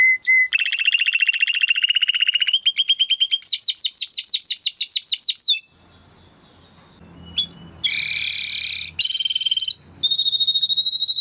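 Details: Timbrado canary song used for training: several changing tours of fast rolling trills and repeated notes, a quieter pause with faint room noise, then bright metallic bursts and a high sustained trill.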